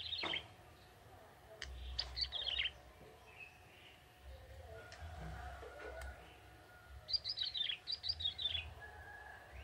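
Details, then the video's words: Young wild male bar-winged prinia singing in forest: short bursts of high, sharply descending chirpy notes near the start, mid-clip and end, with scattered clicks, faint lower tones and low background rumble. "Burung ciblek tebu jantan muda hutan gacor"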